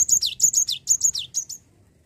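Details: Java sparrow song played as a lure to get a lazy bird singing: a rapid run of about eight high, bright chips, each sliding sharply downward, then ending in silence.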